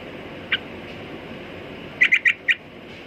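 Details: Sooty-headed bulbul giving a lone sharp chirp, then after a pause a fast run of four squawky notes, with quiet low hum behind.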